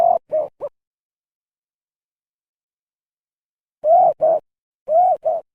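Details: Spotted dove giving an unusual, changed call that its keeper fears came from eating something wrong: short hoarse coo notes in clusters of three, two and two, separated by long silences.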